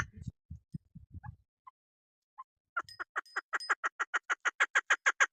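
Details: Female chukar partridge, a local hunters' bird. Low thumping knocks first, then a few isolated clucks, then a rapid series of harsh chuk notes about three per second that grow steadily louder.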